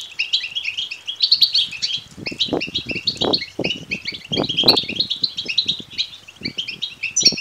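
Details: European goldfinch chick begging, offered to stimulate males to sing and breed. Continuous high, wheezy twittering from several voices fills the stretch, with loud low bumps around two to five seconds.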